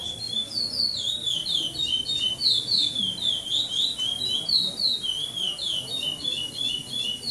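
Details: Pardo-style song without repetition from a caged chestnut-bellied seed finch (curió) competing at a 2014 tournament in São Domingos do Maranhão, Brazil, where it placed second. Continuous, quick, high whistled phrases, sweeping up and down, pulse several times a second.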